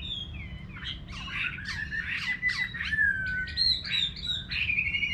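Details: Chinese hwamei heard in a countryside garden, giving harsh squawky bursts mixed with whistled slurs, followed by a long descending whistle and further clear whistled phrases.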